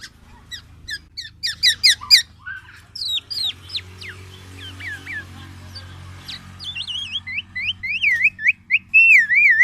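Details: Black-naped oriole giving a varied run of short, sharp chirps and downslurred notes, ending in loud, wavering whistled phrases repeated several times, over a low background hum.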